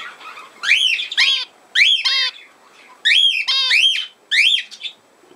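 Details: Budgerigar producing paired bursts of buzzy, upward-sweeping whistled calls, each burst lasting under a second, separated by short quiet gaps.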